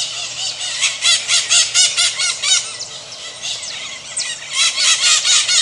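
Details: Maritacas, Pionus parrots heard across Brazil, give rasping, strident squawks about twice per second, somewhat distant, with a few thin high whistles in between.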